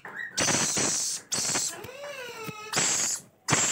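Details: Begging rainbow lorikeet chicks being fed: harsh grating rasps alternate with a drawn-out tonal wail that rises then slowly falls, before the rasping resumes.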